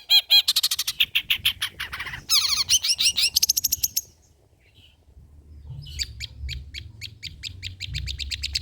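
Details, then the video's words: Old-style long-tailed shrike song used as lure and tutor material: a loud, fast chattering series lasting about four seconds, a short pause, then softer rapid ticking notes over low background hum. "BURUNG CENDET MATERI JADUL BONGKAR MATERI MEWAH"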